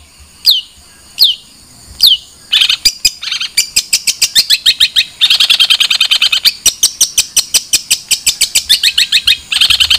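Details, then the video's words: Long-tailed shrike song: three high whistled downslurred notes, then a fast, stuttering run of sharp chirps that speeds into a dense, buzzy rattle before pausing and resuming. "Suara Burung Cendet"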